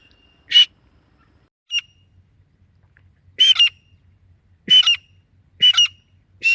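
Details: Desi female grey francolin calling, a sound used by hunters as a lure: isolated harsh, rasping squawks spaced one to two seconds apart, each short and buzzy, over a faint low hum.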